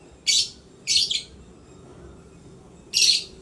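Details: Happy African lovebird at play, uttering three short, shrill, scratchy chirps, the middle one doubled, with quiet gaps between.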